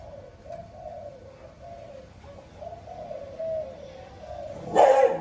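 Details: Spotted dove in the morning giving a run of soft low coos, ending with a louder sharp coo note over a sudden burst of noise.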